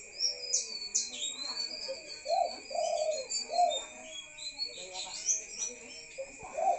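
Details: Spotted dove calling at night: a run of soft, mellow coo notes, several in close succession mid-clip, while higher thin chirps and whistles from other birds sound above and a steady electrical tone hums throughout.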